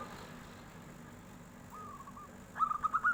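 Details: Local zebra dove singing when a tofu seller goes by: a faint whistled phrase followed by a short burst of loud, rapid trilled notes at the end.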